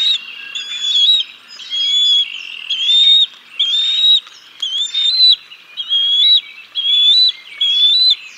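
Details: Bald eagle family at the Decorah North nest during a fish feeding of the chicks, 6 May 2022, live nest camera; high, piping whistles rising at the end, repeated roughly once a second in a steady chain.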